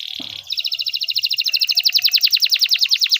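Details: Canary singing, a recording meant to tutor young canaries, opens with a short buzzy note, then a fast, even trill of repeated bright notes that speeds up and grows louder.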